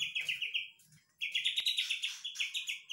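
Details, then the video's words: Young, semi-tame white-rumped shama from Medan, large-bodied and healthy, sings two fast chattering bursts of high scratchy notes with a brief pause, its repertoire imitating the White-shouldered Triller (kapas tembak). "MB medan usia muda kepantau isian kapas tembak"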